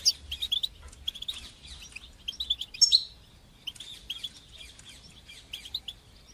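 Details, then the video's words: European goldfinch song, batbata and satsata styles, for teaching young goldfinches: soft rapid twittering of short high chirps, a brighter buzzy flourish near the middle, then fading chatter over faint low rumble. "تقنيات تحفيز طيور الحسون لتشجيع نجاحها في التغريد بتبتة وستستة"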